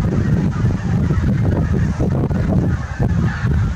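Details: Large flock of geese recorded on 8 April 2021, a dense chorus of overlapping honks and clamor with strong low rumbling wind or handling noise throughout.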